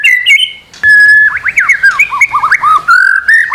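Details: White-rumped shama song as a master recording to encourage singing: a varied, rambling run of whistled slurs, squeaky twisting notes and short harsh touches.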